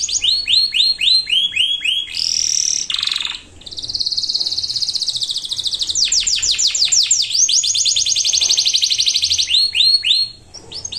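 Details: Canary in full song, used to prompt lazy birds and young birds to sing: long continuous high rolls and trills, rapid repeated downslurred notes, sweeping buzzy phrases, with a brief pause near three seconds and faint low background hum.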